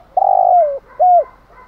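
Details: Spotted dove lure recording meant to stimulate other doves, with drumming coos and calling songs: a long, mellow, slightly falling coo followed by a shorter arched coo, both low and soft.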